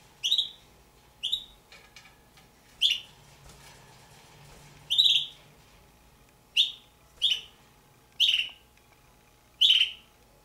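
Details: Two juvenile Damara red-billed hornbills in captivity utter eight high, squealing downslurred notes at uneven intervals over ten seconds, with soft rustling and a constant faint hum between calls.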